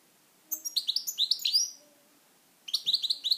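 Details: Pet European goldfinch in song, a fast liquid run of bright rising chirps lasting over a second, then a pause and a second tumbling twittered phrase.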